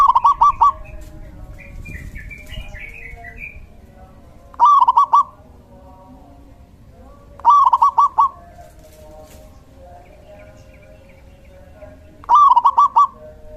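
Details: Lively local male zebra dove used as decoy song for luring doves: four short rippling phrases of quick trilled coos, spaced roughly three to five seconds apart, with a faint twittering bird early on.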